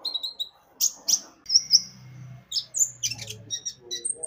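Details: Javan white-eye song for luring birds into singing: high thin chirps and short whistles, with a low steady hum running through the middle of the recording.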